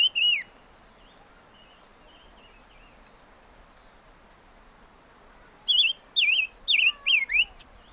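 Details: Chim ngũ sắc: one short whistled note, then a quiet stretch with faint distant notes. It ends in a loud burst of five or six wavy whistled notes in quick succession. Background hiss throughout.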